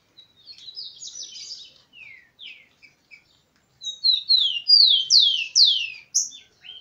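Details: Rufous-collared sparrow (tico-tico), a heated male kept by a bird breeder alongside lively females: loud series of slurred, descending high whistles, a short burst, a pause with scattered notes, then a stronger run of downslurred whistles.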